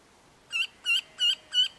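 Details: Red-throated wryneck giving a run of four harsh, nasal notes, each slightly slurred and ringing, repeated at a steady pace of about three per second against quiet background.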